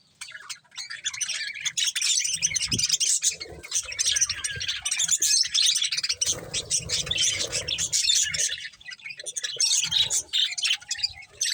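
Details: Continuous high twittering from a group of budgerigars eating corn, scratchy warbled chirps layered almost without break, with low rustling and soft knocks underneath.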